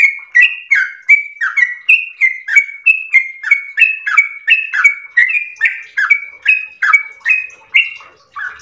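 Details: Long 'ropel' song of the yellow-vented bulbul (trucukan): some twenty crisp, liquid whistled notes in a steady, fast series, each a level tone dropping into a brief lower slur.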